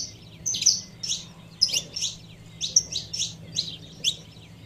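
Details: Female saffron finch calling to stir up the male: bursts of sharp, high chirps and short whistled notes in loose clusters, roughly every second, over a faint low hum.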